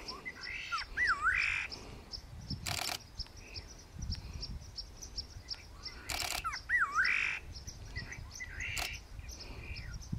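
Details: Great parrotbill calling at Tiger Hill, Senchal Wildlife Sanctuary, Darjeeling, India: a twisting whistled note slurring up and down, then a harsh buzzy burst, the phrase given twice about five seconds apart, with sharp clicking knocks between.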